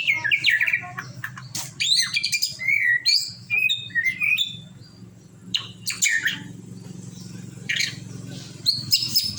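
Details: A white-rumped shama, or murai batu, sings melodiously, mixing quick whistled phrases with sharp high notes in varied bursts, over a constant low background hum.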